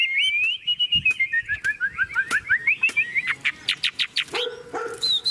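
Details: Caged, tame Chinese hwamei singing strongly as the cage is carried and rocked by hand: a fast run of clear whistled notes sliding slightly downward, then quick sharp repeated upslurred whistles, with a short harsh note near the end.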